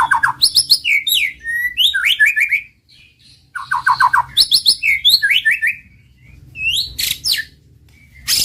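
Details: White-rumped shama male in master song used to stir a quiet bird into singing: bursts of rich, varied whistles and chattering trills with high sharp notes, broken by two short pauses.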